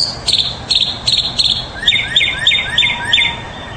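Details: Mockingbird song: a quick series of sharp chipping notes, then a run of five repeated whistled notes that rise and drop, over steady background hiss.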